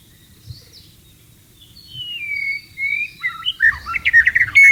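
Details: Wild white-rumped shama in breeding condition: long, thin, drawn-out whistles at first, then a lively burst of rapid warbled notes and sharp chips that grows louder toward the end.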